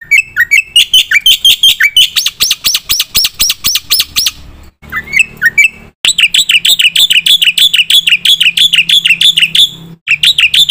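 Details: Loud black-winged myna song, intended for prompting and tutoring birds: rapid rising whistled chirps, then long trains of harsh, ringing notes delivered several per second, broken by short pauses.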